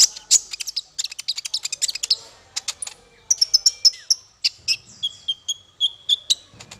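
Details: Masteran song for small fighter birds from a bird giving fast runs of sharp high chips, then whistled notes and a steady buzzy trill, with chips repeated roughly every half second.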